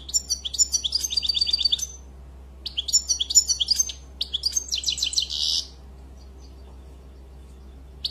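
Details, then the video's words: European goldfinch song in three phrases of rapid twittering, one ending in a harsh buzzy rasp, followed by quiet; constant low hum in the background. "Très beau Chant"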